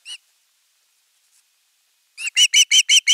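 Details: Osprey chick at nest 3, 10 August 2021, calling at length for fish before an adult brings a whole fish: one sharp whistled note, a pause, then a quickening run of six loud, clipped, high whistles with harmonics.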